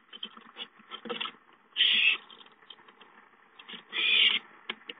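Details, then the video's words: ['Owlets at home on 5-9-13, playing and calling for food: two loud rasping hiss-screeches about two seconds apart over a steady patter of small clicks and scuffles.'] "Owlets have fun playing at home, Chicka calls for food"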